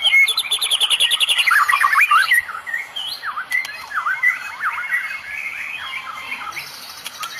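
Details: Medan shama singing cililin-laden tembakan: dense fast high chatter for two seconds, then a slower string of separate V-shaped whistled notes fading toward the end.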